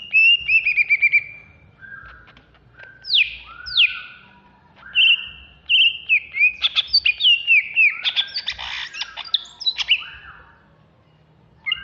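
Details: Agitated ngentrok song from a Banyuwangi greater green leafbird: a long, varied series of high whistles, a burst of rapid stuttering notes, steep upswept calls, and dense chattering near the end.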